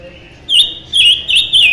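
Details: Close, loud song of a mutant silver-eared mesia: four bright, slurred whistles, each dipping and rising, spaced roughly every third of a second.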